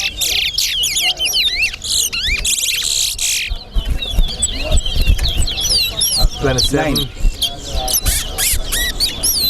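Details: Towa towa in a singing race at Sheriff Street bird ground. Bursts of looping, liquid whistles repeat through the stretch, mixed with loud talking, counting and snatches of music.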